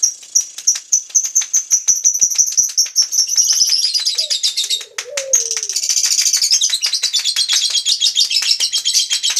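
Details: Lovebird pouring out a long continuous trill of rapid, shrill, buzzy pulses, sustained for several seconds with only a brief dip midway, while a soft lower whistle sounds faintly underneath.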